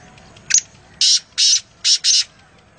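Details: Wild black francolin (kala teeter) at Nawabshah: one brief sharp note, then four loud, harsh, rasping notes grouped as a single note and a close pair, all high and grating, over a quiet hiss.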